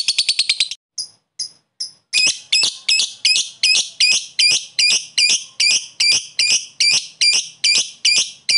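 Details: Lovebird 'koek' caller challenging a rival, with 'ngekek' chatter to excite other lovebirds; a rapid shrill rattle, a few thin squeaks, then a long steady series of harsh chirps about three per second.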